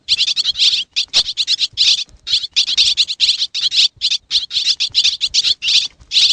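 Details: Xiangkhouang swiftlets in Laos give rapid high chirps in short, closely spaced bursts. The bursts repeat steadily for several seconds.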